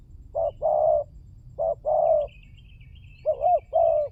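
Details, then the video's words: Spotted dove lure call: mellow, hollow coos grouped as a brief note followed by a longer drawn-out one, three such pairs, with a faint high twittering from another bird partway through. "Pancingan burung tekukur berkhasiat !!! Di jamin tidak bisu"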